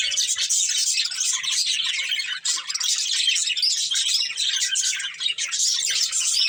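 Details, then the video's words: Budgerigar breeding pair in steady, dense chirping chatter, an unbroken wash of high scratchy twitters and warbled notes. "Cute Budgies Chirping Sounds"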